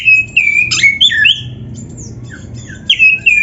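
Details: Oriental magpie-robin song used to train caged birds: clear level whistles and rough chirps, a soft quieter middle stretch, then renewed whistled notes.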